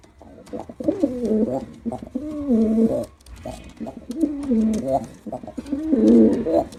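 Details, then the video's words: A performing male pigeon coos over and over, each deep burbling phrase dipping and rising in pitch, about one phrase per second with barely a break between them. "Pigeon Sound Effect || Male Pigeon Super Performance || Male Pigeon Sound"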